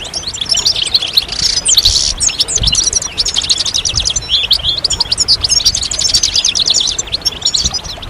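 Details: Chorus of several European goldfinches, a group twittering song used to encourage goldfinches out of their moult and prompt males to sing, with mating and readiness calls: dense, fast, high tinkling twitters and liquid chirps running continuously throughout.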